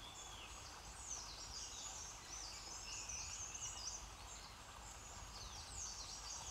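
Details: White-throated laughing thrush chicks in the nest squeal for their parents' attention while being fed butterflies, moths and ants; thin, high, wavering squeals overlap in quick bursts over a steady insect hum and background noise.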